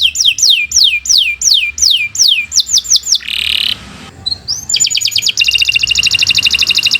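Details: Canary singing as a training master for other birds: loud descending whistled notes repeated about three a second, a brief buzz, a pause, then a rapid high trill running to the end.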